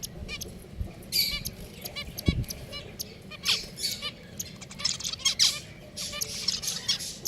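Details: Several caged pet finches give high, squeaky chirps and short nasal calls in scattered bursts, with one sharp knock partway through.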